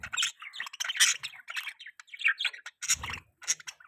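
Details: Pet budgerigar chatter linked to mating: fast, uneven stream of squeaky chirps, rasps and warbles, loud and crowded, with a buzzy harsh burst near the three-second mark.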